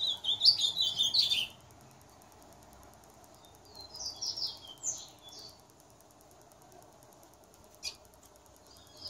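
An Ultramarine Grosbeak sings a quick, high warbled phrase, then a softer second phrase a few seconds later, over a faint steady hiss.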